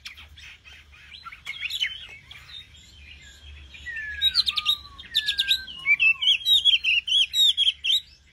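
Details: Nightingale singing: after a quiet start with soft chirps, clear whistled slurs glide downward, then loud rapid repeated trills and sharp notes pulse about twice a second, growing stronger toward the end.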